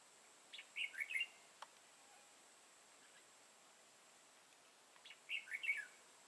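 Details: Competitive song of a red-whiskered bulbul kept as a lure during trapping in Vietnam, 31 March 2018. Two brief, lively, chattering phrases are separated by about four seconds of quiet.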